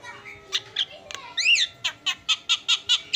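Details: Javan myna giving a short arched whistle among squawky notes, then a steady series of six or seven evenly spaced harsh chips at the end.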